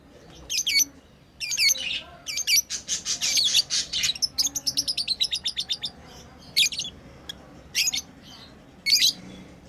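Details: Playing pet lovebirds: sharp high chirps open and close the sequence, while the middle holds a fast run of rapid clicking chatter, about twenty quick ticks in a row.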